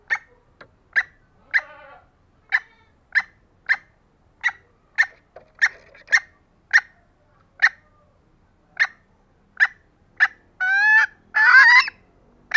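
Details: A vocal female green junglefowl, used as a lure to draw in lazy males, gives short, sharp clucks about every half second to second, then two louder, drawn-out, rising squawks near the end.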